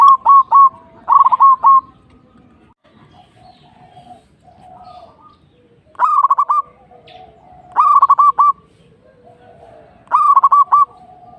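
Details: Zebra dove, a local Indonesian bird, delivering repeated short bursts of quick, stuttering coos roughly every two seconds, each burst opening with a sharp rising note, over soft faint background calls.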